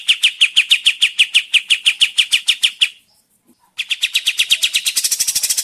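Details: Recording of a sooty-headed bulbul used to lure birds into singing back: evenly repeated bright chirps for three seconds, a pause, then renewed chips that quicken into a rasping trill.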